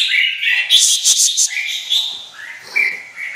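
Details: Red-whiskered bulbul, a caged white-winged bird in high singing form, pouring out a loud, continuous run of bright chattering and slurred notes.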